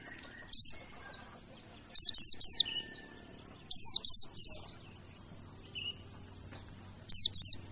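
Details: Lure recording of a mountain white-eye, meant to coax non-singing birds into song: short clusters of one to three very high, quick downslurred chirping notes with gaps of about a second, and a constant thin high-pitched hum behind.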